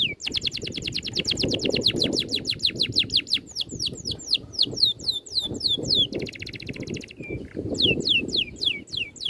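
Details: Oriental magpie-robin in a dense rolling training song. Long run of quick, high descending whistles, broken by buzzy rattling trills and a brief lower whistle. A low background rumble runs throughout.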